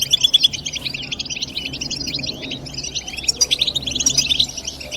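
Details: European goldfinch 'bitbita' twittering, natural chatter for stimulating goldfinches to sing: quick, high, scratchy chirps mixed with clear whistled notes, flowing steadily over a faint low hum.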